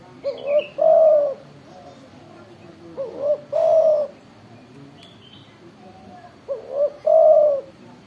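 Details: Spotted dove, a loud tekukur that calls freely, repeats its phrase three times: a pair of short upslurred hoots leading into a sustained hollow coo. Soft background chirping is also present.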